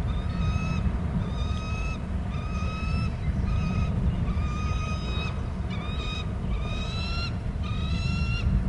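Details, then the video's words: Eagle screeching at a Hornby Island nest as one parent arrives and the other leaves inland, the arriving adult taking over egg duty: a series of clear, strained harmonic notes repeated roughly every second over steady low wind rumble. "em is screeching"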